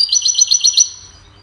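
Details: Goldfinch hybrid song meant to train songbirds, a short series of about six quick high twittering notes that trail off into quiet.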